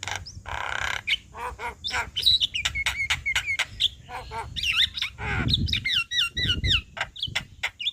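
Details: Javan myna singing loudly as a master recording to train other birds: dense varied phrases of wavering whistles, repeated warbled slurs and harsh chatter, with some low background rumble.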